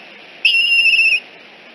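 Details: Single high, clear whistled note of under a second, steady with a slight waver, as a juvenile eagle visits the Decorah nest early on the morning of 14 September 2018 and is escorted away.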